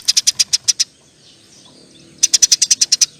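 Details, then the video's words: Eurasian tree sparrow in long nyerecet chatter: a quick run of seven sharp high chirps, over a second of quiet, then another fast series of chirps. "NYERECETTT PANJANG, KICAU BURUNG GEREJA GACOR"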